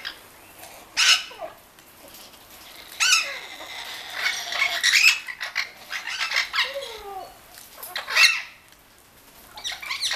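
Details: Orange-winged amazon parrots bathing at a Hungarian bird garden: scattered harsh squawks and shorter calls separated by quieter gaps, with bursts of wing flapping and splashing-like noise.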